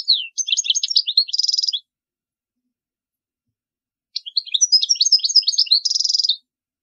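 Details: European goldfinch song used for teaching young birds: two rapid twittering phrases of liquid chirps and trills, each ending in a buzzy high trill, separated by a pause of over two seconds.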